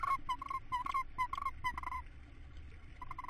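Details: Tawny owl family on 19 April 2017, the mother feeding the youngest chick; a rapid series of short, soft, mid-pitched chittering notes for two seconds, a pause, then more, over faint rustling.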